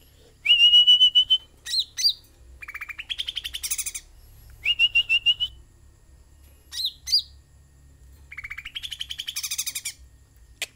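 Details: Energetic song from a sooty-headed bulbul: clear whistled trills alternating with scratchy buzzy bursts and brief sharp notes, in phrases repeated every couple of seconds.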